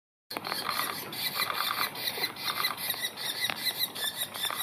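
Young Banded Woodpeckers give a continuous high, buzzy, squeaky chatter in rough bursts about two or three times a second.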